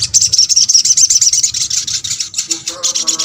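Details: Little spiderhunter calling to stir other spiderhunters into answering: a continuous, loud, rapid high chatter of sharp repeated notes throughout, with a lower tonal sound entering near the end.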